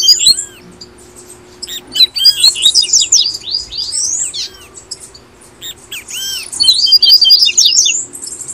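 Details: Brazilian double-collared seedeater song for prompting caged birds to sing: busy high-pitched warbling of clipped chirps and arching whistles in two bursts, separated by a quieter stretch.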